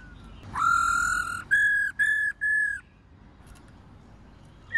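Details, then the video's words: A female black-throated laughingthrush calling continuously, used to stimulate males, gives one long, slightly rising whistle, then three shorter, higher whistled notes in quick succession. "KHƯỚU MÁI RÒ LIÊN TỤC KÍCH TRỐNG CỰC NHẠY"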